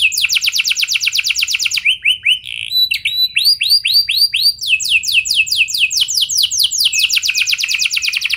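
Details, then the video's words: Canary song used to trigger singing in other canaries: quick rolled trill, a few short flat whistles, then varied tours of rising and falling sweeps repeated in rapid series. "Pancingan Ampuh Bikin Kenari Lain Bakal Ikut Gacor Do0r Dengan Pancingan Ini! Langsung Nyaut Ngeroll"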